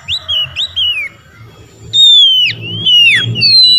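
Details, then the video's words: Oriental magpie-robin calling out to rivals: a few short looping whistled notes, then a pause and long clear sweeping whistles that slide down and up, over low background rumble. "Kacer ngeplong panggil lawan.kacer lain auto nyaut"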